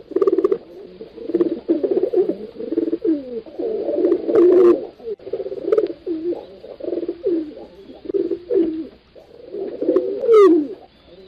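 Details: A continuous chorus of pigeon coos, low and burbling, with many birds overlapping, scattered clicking taps, and near the end a thin high squeal sweeping downward.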